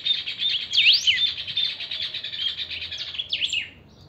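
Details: Kept saffron finch (chiviro) singing at full volume: a dense, continuous run of buzzy high trills with sharp V-shaped whistled sweeps laced through, ending in a falling slur.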